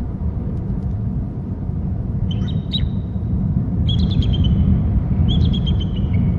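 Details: Bald eagles at a nest and territory on Hornby Island, one calling from the upper left: three bursts of high, thin piping notes, each a quick descending run of chirps, over a steady low rumble.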